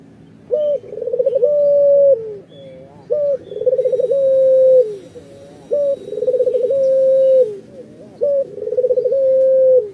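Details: A local, very vocal Barbary dove gives low, rolling coos, each a short note then a long purring drawn-out phrase, repeated four times about every two and a half seconds.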